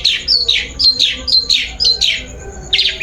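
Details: Long-tailed shrike song played as a lure to draw a bird into singing: loud, high down-slurred notes about every half second, each sliding from shrill to lower pitch.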